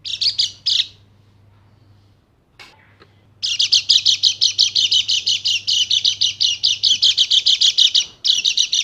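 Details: White-eye of the Dakun Bali type, offered as a lure to get silent white-eyes singing again: two brief high chirp bursts, a pause, then a long, fast, unbroken string of sharp high chirps, about three a second.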